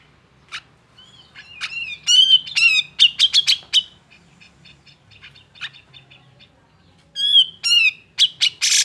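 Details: Grey-cheeked bulbul in agitated song, meant to coax lazy birds of its kind into singing: bright whistled phrases with rising and falling slurs, a quiet pause, then a renewed whistled burst ending in a harsh rasp.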